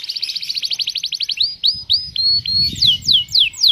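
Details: Canary cengkok mewah song with tembakan shots: a rapid buzzy trill opens, then drawn-out whistled notes and sharp downward-swooping sweeps.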